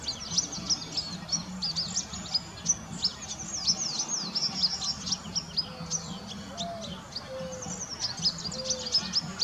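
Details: Around 35 cedar waxwings gathered in a bare tree, perching, singing and hunting for the last berries; dense chorus of high, thin lisping whistles repeated rapidly, a few lower whistled notes, steady low background rumble.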